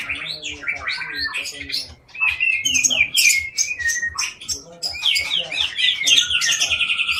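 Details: Loud, varied singing by a long-tailed Aceh white-rumped shama, a captive breeder in Indonesia: rapid high chips and swooping whistles, ending in a fast rolling trill, with low rhythmic thuds faintly behind.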